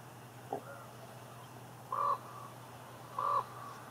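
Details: Common ravens calling in Juneau, Alaska: two clear, hoarse, flat croaks about 1.3 seconds apart, each around a quarter second long, with a faint short knock earlier, over steady low background hum.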